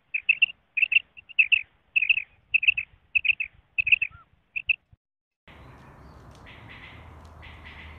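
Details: Common quail call as used for hunting: clean, quick triple notes repeated roughly every two-thirds of a second for five seconds, followed by a steady hiss with a faint distant tone.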